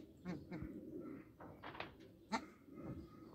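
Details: Bar-headed geese at a farm give several short, nasal honks in quick succession, one louder honk standing out, over a low background murmur.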